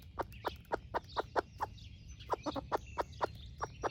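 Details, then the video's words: Broody splash laced red wyandotte hen sharing breakfast with her baby chicks outdoors: a rapid series of short, low clucks, some doubled, over constant high chick peeping and a steady low rumble. "Sweet Broody Hen Sharing Her Breakfast with Baby Chicks"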